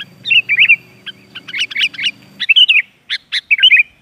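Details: Sooty-headed bulbul warbling lure phrases for training caged young birds to sing: bubbly, fluty notes and sharp clicks in quick succession, with a low hum fading out midway.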